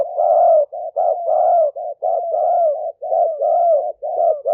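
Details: Recorded live in Roi Et province, Thailand, in 2021 as a spotted dove decoy for luring wild doves: dense, overlapping mellow coos, almost continuous, with brief gaps and slightly falling notes.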